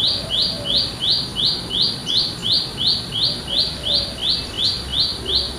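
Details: Olive-backed tailorbird, wild, in a village area, repeating a shrill buzzy note at a steady rate near three per second, with faint softer bird notes and low background noise.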